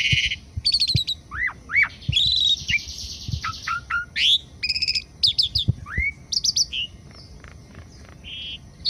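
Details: Morning song of an Asian pied starling from Indonesia: a lively medley of rising whistles, harsh buzzy bands, rapid clicking trills and sharp chirps, delivered in bursts with brief pauses between phrases.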